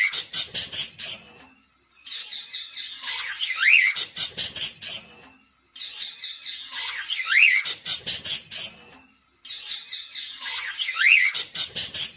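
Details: A male cockatiel gives a repeated phrase of rapid chattering notes ending in a clear, rising whistle; the same pattern comes around three times, about every three and a half seconds.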